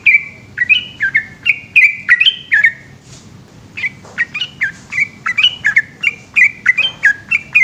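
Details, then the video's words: At night a yellow-vented bulbul delivers its extended 'gacor ropel' song. Rapid bubbling whistled phrases break off after two and a half seconds, then a short hush, then the lively run picks up again. "burung trucukan gacor ropel panjang dimalam hari"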